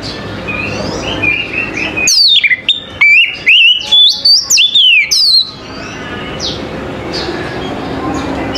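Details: Oriental magpie-robin morning song: soft warbles, then from about two seconds a loud run of whistled notes that sweep up and down with clicks, lasting roughly three seconds before fading to quieter notes.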